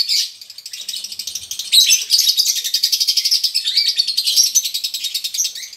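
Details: A colony of konslet lovebirds in ngekek song, used to spur other lovebirds into singing. After a short quieter start, a fast, rhythmically pulsing, shrill chatter sets in and continues steadily.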